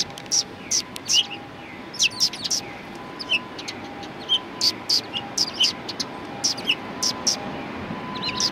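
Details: Chirping sparrows recorded at a Tenmangu shrine on 1 March 2020, a busy run of bright, short notes, often doubled or tripled, repeated roughly every half second over a low steady hum.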